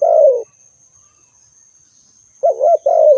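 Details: Spotted dove call: the tail of one falling croo, a pause, then a full phrase of a quick bubbling double coo and a long, slightly descending croo, with a thin steady whine throughout.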